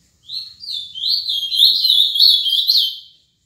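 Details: Seven-year-old ultramarine grosbeak singing a Paraná-style song: a clear warbled phrase of slurred whistled notes, rising and falling, lasting about three seconds, with a quiet low hum beneath.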